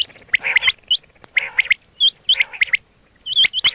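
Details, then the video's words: Quail sound for hunting: clusters of bright, upswept chirps with short pauses between them. A few notes carry a harsher, broader edge. "quail 2024 Fresh sound Batair Ki awaz"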